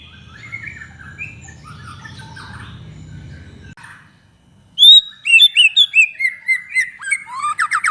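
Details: Lure song of a white-rumped shama meant to provoke other shamas: faint distant warbling over low hum, then after a brief silence loud, varied whistles and chattering notes tumbling in quick succession.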